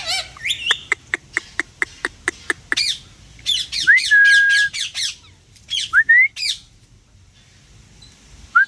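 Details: Pet parrot giving a series of sharp clicking notes, then rising whistled calls and short harsh squawks, indoors.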